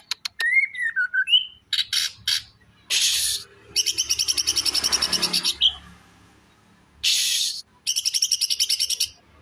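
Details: Greater green leafbird in rough 'tembakan besetan' style: opens with a slurred falling whistle and scattered sharp clicks, then bursts of dense, grating high chatter and rapid rattling note series.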